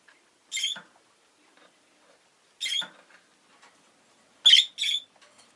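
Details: Rosy-faced lovebird calls in three separated bursts of harsh, buzzy shrieks, the last one doubled and loudest, with near silence between.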